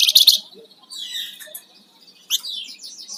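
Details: Flamboyan songbird in lively song: a loud, sharp high chatter at the start, softer thin whistles, then a burst of rapid high chirping notes near the end.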